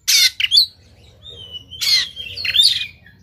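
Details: Fighting white-rumped shama with its tail spread, Sumatran type, uttering two harsh rasping bursts linked by a long, thin, level whistle and a brief sweeping note.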